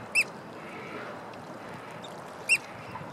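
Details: {'caption': 'Noisy oystercatcher calling: two loud, sharp, high piping notes spaced about two seconds apart, over steady background hiss.'}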